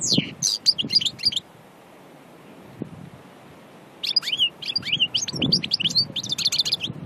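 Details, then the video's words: European goldfinch from Annaba, Aïn Barbar, Algeria, described as purely natural, delivering quick high tinkling twitters, falling silent for over two seconds, then resuming with liquid chirps and trilled phrases; soft low background hum. "Chardonneret Annaba Aïn Barbar"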